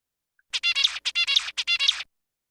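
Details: An adult zebra finch perched on a branch sings its precise, stereotyped song: the same short motif three times in about a second and a half, each a rapid run of buzzy, nasal syllables ending in a bright note.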